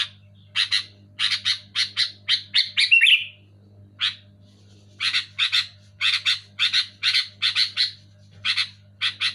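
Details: Sooty-headed bulbul, loud and clear, offered to coax silent, lazy bulbuls into singing: harsh buzzy chatter notes in quick bursts of one to three, ending in a shrill rising-falling squeal near three seconds, then a steady rapid run of rasping notes over a faint hum.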